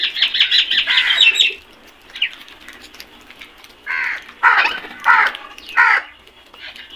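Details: Flock of black crows, opening with a rapid rattling string of short caws, then a pause before four or five separate hoarse caws in uneven succession.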